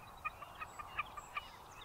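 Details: Wilson's snipe calling with a short run of spaced, clipped notes, each sharp and brief, less regular than a full series, against a quiet hiss.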